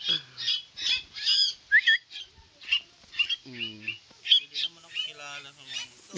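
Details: Pet koleto housed with crows: a busy jumble of scratchy squawks, short rising whistles and lower nasal, crow-like notes, spaced about two per second.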